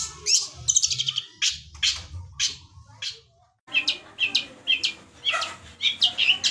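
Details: Long-tailed shrike song with lovebird imitations: varied sharp chirps and scratchy chatter, a brief pause, then a fresh run of high, squeaky chirps.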